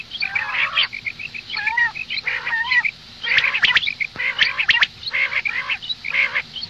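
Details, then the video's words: Female common quail calling in the morning: nasal, squawking bursts with harmonic bands, given in short groups separated by brief pauses, with sharp clicks in between. "Madi batair ki awaz suba ke liye مادی بٹیر کی آواز"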